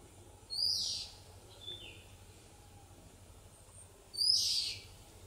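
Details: Oriental magpie-robin singing: two loud, high, sweeping whistled phrases about three and a half seconds apart, with a softer short descending note between them, over a faint steady high hum and low background rumble.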